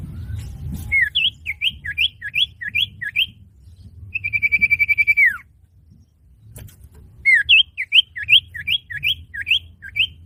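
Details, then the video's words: Common iora (cipoh) lure song for trapping or training: repeated rising whistled upslurs, a long buzzy trill dropping at its close, then another run of rising whistles about twice a second, with faint clicks and low hum. "Pancingan burung cipoh/sirtu paling ampuh"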